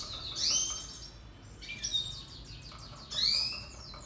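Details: Red siskin (Spinus cucullatus) song for training: three bursts of high twittering with buzzy, sweeping whistles roughly every one and a half seconds, the last phrase loudest.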